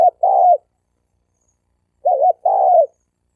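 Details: Spotted dove, wild males in a fighting challenge, used to provoke rival males: two short cooing phrases about two seconds apart, each a brief dipping note then a longer level coo, with silence between.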